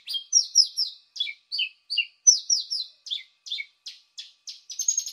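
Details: Lure recording of a paddyfield pipit: bright high chirps, first in fast clusters, then evenly spaced single downslurred notes about twice a second, ending in a quick rising flurry; nothing else audible.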